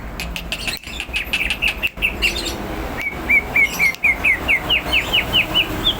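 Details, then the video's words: Greater green leafbird, hyperactive and ready to fight, singing a chain of short upslurred chirps about two per second that climb slightly in pitch toward the end, after some scratchy chatter. "Burung cucak ijo gacor,hiper siap tarung"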